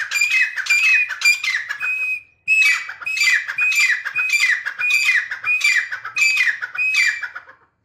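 A Grey Francolin gives loud, harsh, ringing notes in quick repeated phrases, nearly two per second, with a short pause midway.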